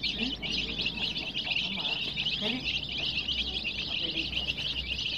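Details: Colour-dyed chicks filling the air with dense, shrill peeping, while faint low murmuring sounds pass underneath the constant high chatter.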